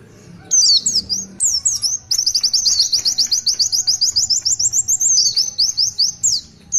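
Oriental white-eye singing a long, very high twittering run of quick slurred notes, about eight a second, after a few sweeping opening phrases.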